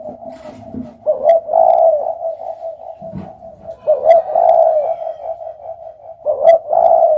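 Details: Spotted dove repeating deep, mellow coo phrases roughly every two and a half seconds, each with a stressed opening note, over a faint low rumble.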